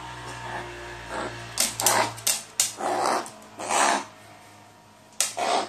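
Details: Crow throwing a tantrum at bedtime, eager to keep playing, on 22 May 2018: a string of rough, grating, scratchy calls in uneven bursts, with a steady low hum underneath.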